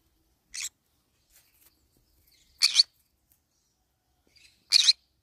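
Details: While nibbling banana leaves, a green-cheeked conure gives three sharp, raspy squawks spaced roughly two seconds apart, against a quiet background.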